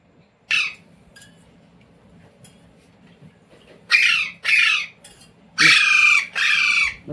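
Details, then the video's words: Pet Indian Ringneck parrot taught words including "roti roti"; after a short shriek and long quiet, a quick series of rasping bursts builds to two long loud ones. "Parrot Talking | मम्मी | मिट्टू | रोटी रोटी | तोते को बोलना सिखाये | Talking Parrot"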